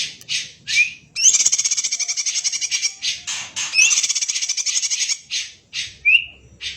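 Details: Greater green leafbird tutor song in a kacer-like style. Sharp whistled upslurs and brief chips frame extended harsh, rapidly pulsed rattling phrases delivered almost without pause.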